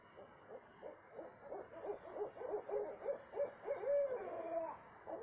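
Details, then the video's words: Night owl calls at 2:30 am in south central Texas: soft spaced hoots building into a dense rapid run, then a drawn-out wavering note that drops at the end. "what kind of owl makes noise like this"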